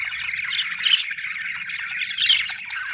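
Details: Budgies chattering happily in a dense, continuous warble, with two sharper squeaky chirps popping out near the start and end, above a soft low hum.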